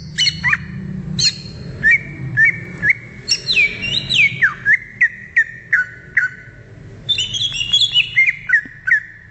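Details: Greater green leafbird singing in the wild: clear whistled notes near one pitch repeated in quick bursts, some sliding down steeply, with a brief higher phrase before resuming the steady repeated whistles; low background rumble.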